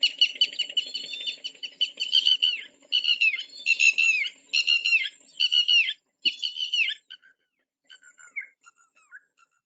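Red-wattled Lapwing giving loud, shrill, strident notes in quick bursts of three or four, often rendered 'did-you-do-it', with a faint low hum underneath.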